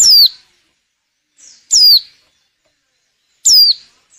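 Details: Female white-eye in breeding condition, a lure for males: clear piercing downward-sweeping calls repeated roughly every 1.7 seconds, each followed by a faint softer note, nothing else audible.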